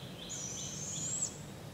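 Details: Barred owl fledglings in Polk County, Iowa, getting fed by their parents at a local park on July 6, 2017. A single high, thin, slightly rising screech of about one second, with a fainter lower tone beneath, over steady low background noise.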